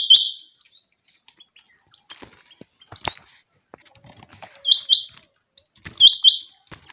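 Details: Common quail in a summer meadow, giving short clipped bursts of two to three sharp, high, ringing notes at the start, near five seconds and near six seconds, separated by quiet gaps with scattered faint clicks and ticks.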